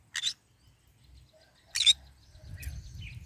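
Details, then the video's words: Green-cheeked conure eating and basking in morning sun gives two sharp, rasping squawks over a second and a half apart, then softer chattering notes amid low rustling. "Parrot Sound : I am eating and singing and basking in the morning sun : Green cheek conure bird"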